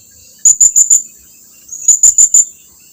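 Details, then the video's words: Blue-crowned hanging parrot calling its companions closer, giving two quick runs of four sharp, very high-pitched ticks about a second apart. "suara serindit lagi memanggil kawannya agar datang mendekat"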